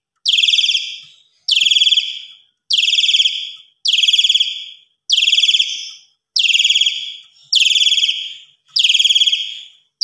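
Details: Asian pied starling singing in the evening, full-isian style, as a master recording for other birds: eight loud, harsh, buzzy notes sliding downward, repeated evenly about every 1.2 seconds over a quiet background.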